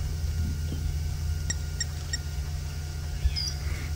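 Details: Blacksmith lapwing calling in the background at a Mara water, October 2018, giving three sharp, metallic ticks about a third of a second apart over a steady low rumble; a three-banded plover also called nearby.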